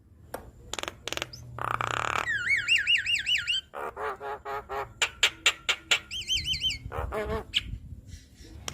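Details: Javan myna (jalak kebo) singing in 'gacor full isian' style on a recording meant to prompt captive birds: scratchy bursts, then wavering rising-and-falling whistles, rapid buzzy trills and a string of sharp clicks, before the wobbling whistle returns.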